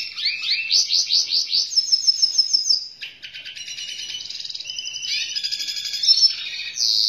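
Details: Black-hooded siskin in full, lively song: rapid runs of high, sweet, repeated chirping notes, then trilled and buzzy twittered phrases at a high pitch, strong and clear with no other sounds.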